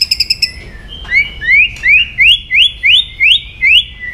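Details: Song of a White-rumped shama, said to provoke aggression: a short high trill, then a series of upslurred whistles repeated about every half second, each rising sharply at the end.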